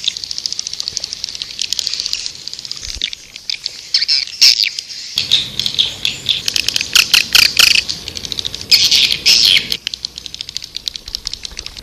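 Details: Swiftlet-attracting call of the white-nest swiftlet: shrill chattering twitters that swell into dense bursts of rapid clicks and squeaks, then ease off again.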